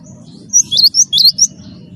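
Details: Cinereous tit (gelatik batu wingko) in energetic song meant to prompt other birds: five quick, high, rising-and-falling chirps packed into one second, over a faint low hum.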